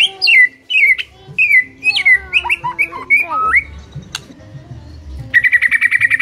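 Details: Full-throated white-rumped shama song, loud and chattering: varied slurred whistles and descending notes, a sharp click, then a rapid rattling trill of even, high notes at the close, over faint background rumble.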